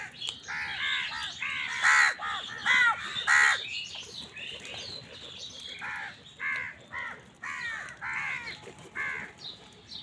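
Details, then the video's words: Many crows caw almost without pause while fighting with wild birds for food. Harsh, overlapping calls come more than once a second, loudest in the first four seconds. "কাকের ডাক Crow Sound"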